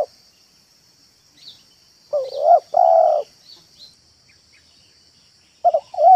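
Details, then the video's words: Spotted dove kept as a trained caller in a yard, its cooing played to lure wild doves. One full phrase of a rising note and a long steady coo, with another phrase beginning at the end. Faint chirps and a continuous high hum behind. "BALAM AJARAN MANGGUNG DAN MERATUS DI LAMAN ⭐ MEMIKAT BALAM"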